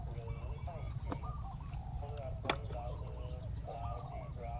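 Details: Spotted doves heard during ground decoying of a wild bird, rolling coo phrases repeating and overlapping, broken by a couple of sharp knocks or clicks, over low background noise.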